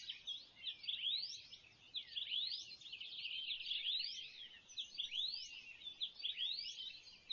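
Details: Swallow-tailed Bee-eaters in the Kalahari, Botswana, in September 2014 give a busy, high chatter of quick upslurred chirps, overlapping almost without pause, over faint background hiss.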